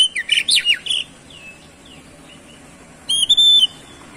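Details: Oriental magpie-robin (kacer) singing to draw out other birds' song: a rapid loud tangle of notes, soft falling whistles, then a steady high warbled phrase.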